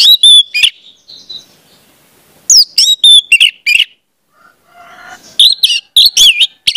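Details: Orange-headed thrush song for training young speckled birds: loud whistled notes and quick chirps in three bursts divided by quiet gaps.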